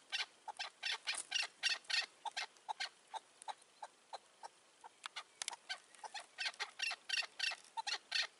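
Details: Chukar partridge giving a long chucking run in May 2024 while a decoy bird draws a wary old wild partridge. Hoarse notes repeat about three per second, pause briefly near five seconds, then resume.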